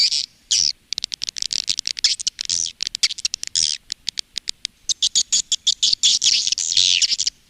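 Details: Calling and roosting sound of swiftlets, long used by Indonesian swiftlet farmers: a chattering mix of rapid high clicks and buzzy twitters, in stuttering runs with short silences between them.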